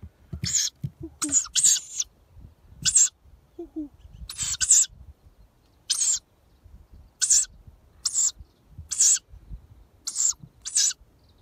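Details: Young owls panicking after a person imitates a parent owl's call: harsh, hissing screeches in short bursts, repeated about once a second with uneven spacing. Faint low human hoot imitations are heard early on.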